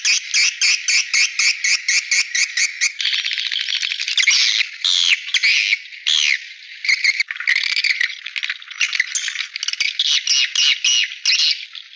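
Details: Swiftlet lure call: fast, dense runs of sharp chirps and rattling twitters, pulsing in quick regular bursts and merging into near-continuous high chatter, with no other sounds.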